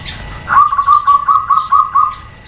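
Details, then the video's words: Female zebra dove (perkutut) giving a call meant to draw answers from males: a steady run of about eight soft, rounded cooing pulses held at one low pitch for nearly two seconds, with faint chirping behind it. "SUARA PERKUTUT BETINA, BIKIN PEJANTAN DAN OMBYOKAN SALING SAUT"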